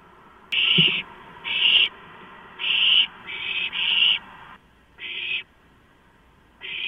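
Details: Owlets at a delivery of a large rodent, 23 March 2015 about 12:52: quick clustered hissing screeches, then longer pauses before further rasps, with a sharp click near the start.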